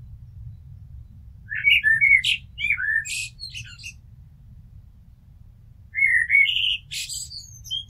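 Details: Two blackbird song phrases about four seconds apart, each opening with low, rounded fluty notes and closing in sharp, high, squeaky chatter.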